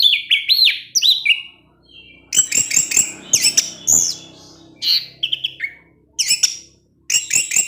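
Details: Caged orange-headed thrush in 'ngecip ngecis teler' singing mode, giving loud, clipped chirps and upward-sweeping whistles in quick runs, pausing briefly between clusters.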